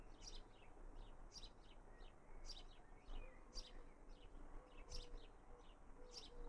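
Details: In a Raunds garden on 19 June 2018, a young house sparrow gives bright, clipped chirps about every second, often in quick pairs, set against a constant low-pitched background hum.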